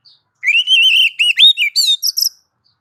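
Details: Oriental magpie-robin, called kacer, sings a master song for tutoring cage birds: a rapid run of bright whistled, warbling notes in quick succession over about two seconds, clean with no other sounds.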